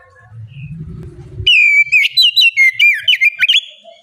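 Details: After a low rumbling murmur, a loud oriental magpie-robin bursts into rapid, piercing whistled notes, falling and rising slurs packed about twice a second, played as a lure song to get other birds singing.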